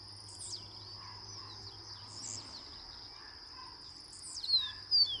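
Chestnut Seedeater gives short bursts of high, sweet, downslurred notes a couple of seconds apart. A steady high insect drone and a low hum run underneath.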